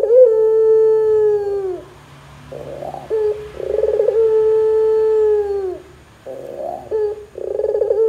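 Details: Barbary dove coo meant to make other doves join in. Long steady low notes fall off at their ends, separated by short wavering phrases and rapid rolling pulses, with a faint low hum behind.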